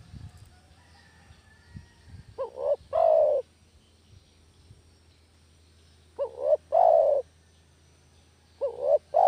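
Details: Trapping lure call of a village spotted dove: three phrases spaced about three seconds apart, each a quick stuttered double note then a drawn-out coo, with light low background noise at the start.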